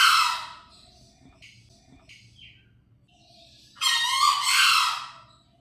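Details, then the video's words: Green junglefowl, or keker: the tail end of one coarse crow opens, then a full harsh crow follows after a pause, with a few thin chirps from small birds between them. "Masteran Suara Ayam Hutan Hijau "Gallus Varius" (Keker)"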